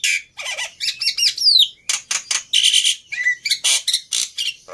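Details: Agitated fighter Black-winged myna, used as a training model for silent starlings, giving harsh rasping squawks, descending whistles and scratchy noisy bursts in quick succession.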